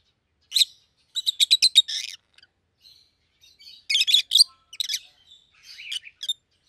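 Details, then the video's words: Pet pair of rosy-faced lovebirds, one yellow and one green, both red-headed, giving sharp high chirps: a lone note, then a fast burst of about six, and later clustered harsh chirps with soft twittering between. "Lovebird's Sounds"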